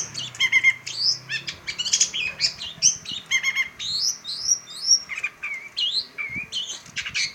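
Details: Pentet, the long-tailed shrike, in varied song: clipped chatter mixed with clear upslurred and downslurred whistles, shifting quickly between buzzy and pure notes, with a faint low hum beneath.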